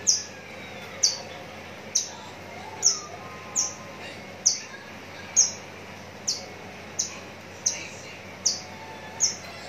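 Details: A Javan bush lark from Citra Raya, Cikupa, Tangerang, Indonesia, said to be ready for singing contests, repeats a short, piercing high chip about once every 0.8 seconds, a dozen times, over faint hiss.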